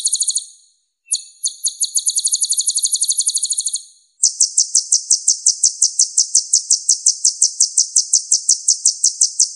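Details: Clear-voiced masteran song of a purple-throated sunbird (Leptocoma sperata), known locally as kolibri ninja: a thin high trill, a short pause, then a long steady run of bright notes, roughly three per second.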